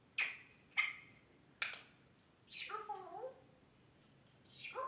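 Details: Pet grey parrot copying human sounds: three sharp click-like coughs followed by a wavering, voice-like utterance with falling tones, then a final short breathy call.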